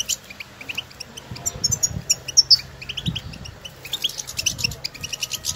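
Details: European goldfinches outdoors trading calls, bright high chirps and short squeaky twitters in clusters, mixed with occasional low thuds.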